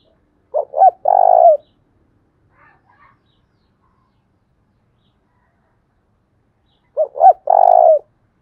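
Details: Spotted dove voicing a 'thúc bổi' lure call meant to draw in wild doves, with a 'thổ đồng' voice: two phrases of two short coos and a longer trailing coo, about six seconds apart, with silence between.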